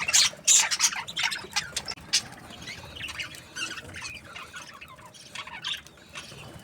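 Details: Budgerigar chirps coming in loud sharp bursts at first, then fading to softer scattered scratchy chatter, with some light tapping noises.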